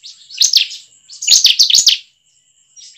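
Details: Buzzy, scratchy chirping from a bar-winged prinia, a recording meant to coax caged birds into song; two bursts of rapid harsh notes a second apart, then a brief quieter start.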